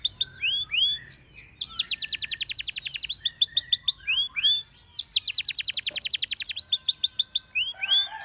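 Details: Canary song made of rapid rolling trills of sharp downslurred notes, broken by short upward-curving whistles between tours, the rolls repeated several times over eight seconds with clean background.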